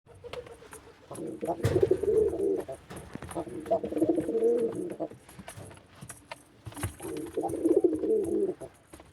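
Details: A male white pigeon gives three low, throaty cooing bouts, each about a second long with a rolling, bubbling quality, separated by short pauses in a quiet room.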